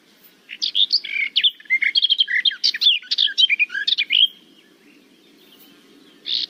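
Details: Garden warbler song, a species seen in Portugal mainly on migration with a small breeding population in the far north: a rich, fast, even-flowing warble of mellow notes for nearly four seconds, then a new phrase; faint hum.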